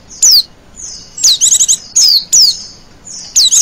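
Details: Female Oriental white-eye, used as a lure call, giving thin, high descending notes about once a second, with one quick burst of chattering trilled notes; the background is otherwise quiet.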